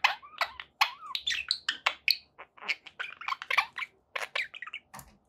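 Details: Kept budgerigars warble continuously, a fast, jumbled stream of clicks, chirps and slurred whistles with scarcely any pause.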